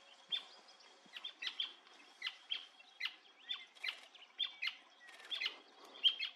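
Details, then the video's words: Endangered Brasilia tapaculo singing at Serra da Canastra, Brazil, in 2021; a monotonous series of about twelve short, sharp, downward-sweeping notes, roughly two per second, over a faint steady high-pitched whine. "The Endangered Brasilia Tapaculo singing at Serra da Canastra"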